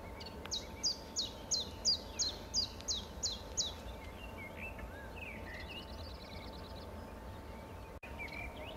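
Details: Common chiffchaff singing a run of about nine sharp, high, downward-slurred notes at an even, steady pace over four seconds. A fainter buzzy trill from another bird follows, over a constant low hum and rumbling background noise.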